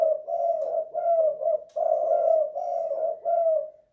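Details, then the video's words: Spotted dove kept in a house, singing its two-kuk, one-guk pattern: low, rounded coos joined into phrases with brief dips, the final note trailing off quietly. "Tekukur kuk 2 / guk 1 in the house"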